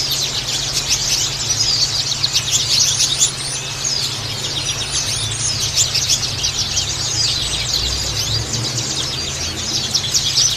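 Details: White-eyes in a dense chattering chorus, played as a lure to attract birds: many rapid, high, overlapping chirps and twitters pour out without a break, over a steady low electrical hum.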